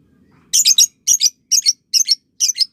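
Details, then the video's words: A lovebird repeats a shrill, harsh double chirp five times in quick succession, about twice a second, in a recording used to train young birds toward ngekek chattering. A faint low murmur is heard before the calls. "Masteran Love Bird Paud & Balibu Dijamin Latah Ngekek"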